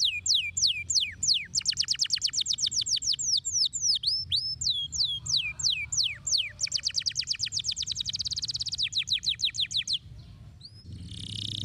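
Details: Canary performing a stimulating song: long, fast rolls of sweeping high notes that change tempo between phrases, ending in a brief hissing burst, with a faint low hum throughout.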